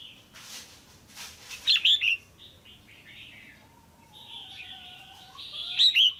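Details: A female red-whiskered bulbul kept in a cage calls to excite a male or to pair: a sharp triple-note burst early, another at the end, and quieter drawn-out whistles and low tones in between.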